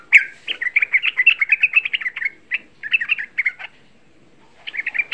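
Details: Sooty-headed bulbul, young, in rapid continuous chattering lure song used to provoke other bulbuls: a dense run of bubbly warbled notes, then short bursts separated by brief gaps, and a final burst after a pause.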